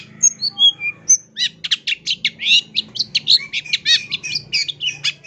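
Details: Long-tailed shrike song meant for training birds: several pure whistled notes at varied pitches, then a loud, fast run of scratchy chattering notes, with a low background hum.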